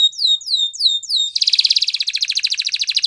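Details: Canary singing a training song: four slow, whistled, descending slurs followed by a rapid pulsing rolling trill.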